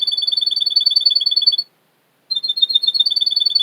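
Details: Singing male Russian canary belonging to a Miami, Florida breeder: rapid, alternating two-tone high chirps in a rolling trill, a pause of about half a second, then the same rolling trill resumes.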